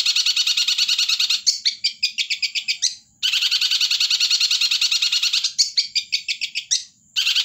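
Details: Long-tailed shrike, kept by bird hobbyists in Indonesia, singing actively: long harsh buzzy bursts, each about one and a half seconds, alternate with quick chattering note series, repeated twice, loud and close.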